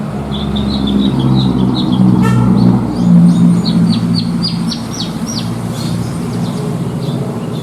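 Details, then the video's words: Javan bush lark (branjangan) bred for singing contests, giving its 'isian'-filled song: a run of quick chirps, a brief buzzy rattle, then a fast sequence of sharp descending notes, with a loud low drone throughout. "BRANJANGAN ISIAN MEWAH"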